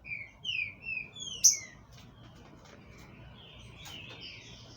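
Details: Captive-bred green-winged saltator from a Brazilian breeder, singing a short run of clear, slurred whistled notes, with one sharp high note, in the first two seconds. Only faint hiss and a few soft traces of sound follow.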